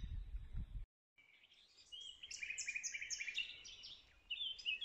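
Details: Common nightingale, a secretive bird, singing during a survey: after a brief low rumble and a short silence, a rich run of high whistles, trills and rapid chattering notes fills the rest of the recording.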